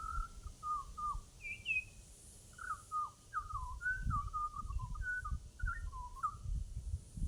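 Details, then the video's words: Butcherbird in Australia giving a run of rich, fluted whistles, short notes sliding up and down in loose phrases, over a steady low rumble of wind or distant traffic. "Butcher bird"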